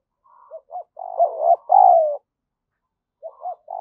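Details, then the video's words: Spotted dove coos used as a lure and stimulus: a quick pair of short soft notes, then a run of throaty coos ending in one long falling note, with another phrase starting after a gap. "chim cu gáy mồi gáy thúc và gù"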